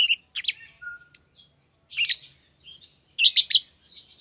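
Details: Green Fischer's lovebird pair, a green colour form, singing in short bursts of harsh, buzzy high chirps separated by pauses, with one brief thin whistle between phrases.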